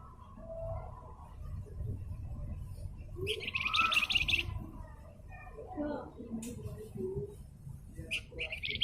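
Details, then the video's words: Javan fulvetta, known locally as flamboyan, giving a buzzy, fast-pulsed high trill of about a second amid faint scattered chirps, over a low background hum. "Masteran Burung Flamboyan Gacor"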